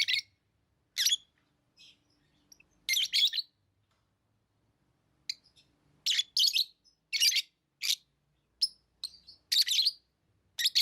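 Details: Pet lovebirds chirping in a quiet room: piercing, buzzy high calls in irregular bursts, some doubled, with brief silences and faint low background hum.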